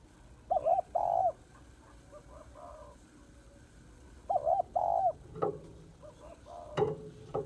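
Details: Spotted dove female calling to excite males: paired short coo and longer rolling coo, repeated about every four seconds, with soft hoots and loud knocking thuds in the background.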